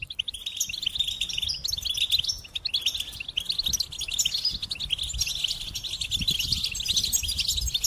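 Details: Goldfinch pouring out a continuous, dense twittering song of rapid high tinkling notes and buzzy trills, with soft low rumbling noise in the background.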